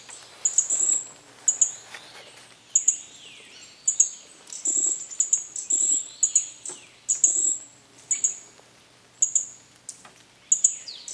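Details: Green-backed flowerpecker giving a steady series of piercing, very high ticking notes, bursts about every second, mixed with softer descending sweeps and a little low knocking.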